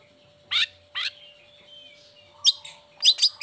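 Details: Long-tailed shrike (cendet) in a lure for lazy or moulting birds: two rasping notes close together, a pause with a faint thin whistle, then sharp high chattering notes; a low hum runs throughout.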